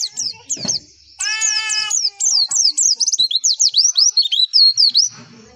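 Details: Javan white-eye masteran song, used to prompt other white-eyes to answer: rapid high chirps sliding down and up, strung together in fast bursts, with a brief run of lower stacked whistled notes near the start.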